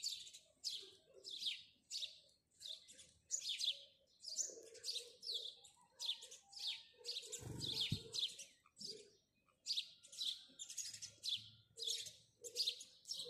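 House sparrows chirp steadily, bright repeated cheeps about two per second, several birds overlapping, with a brief low thump midway.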